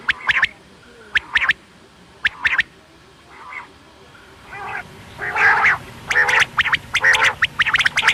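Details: A quail (batair) call for night use: sharp, clipped calls in quick groups of two or three, then a denser run of harsher, buzzier notes toward the end.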